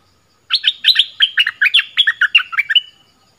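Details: Close, clean phrase from a decoy bulbul of the southern style: about a dozen quick, liquid chirping notes rising and dipping over two and a half seconds, with no background noise.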